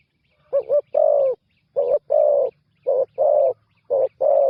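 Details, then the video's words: Spotted dove, a new decoy bird on its first ground-decoy training outing, calling loudly: low mellow coos in pairs, a short note then a longer drawn-out one, four pairs in quick succession about a second apart, no other sounds. "นกเขาใหญ่ต่อดิน ฝึกนกใหม่ออกฝึกครั้งแรกพอได้ยินเสียง"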